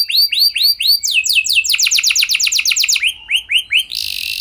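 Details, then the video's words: Canary singing a lure song meant to set other canaries singing: arched whistled notes, then a fast run of sharp descending sweeps, slower curved chirps, ending in a short buzzy burst. "Pancingan Ampuh Banyak Burung Kenari Cepat Bunyi Gacor Dengan Suara Kenari Gacor Lagu Unik Ini!"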